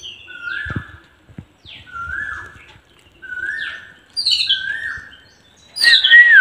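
Sparrow chirps, a steady series of bright, slightly slurred notes repeated about every second, with a higher, sharper call near the end.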